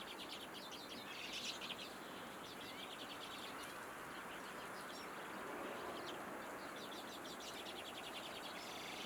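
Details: Common redpoll giving rapid, rattling trills of clipped, twittering notes in repeated bursts of about four per second, fairly faint against a constant hissing outdoor background.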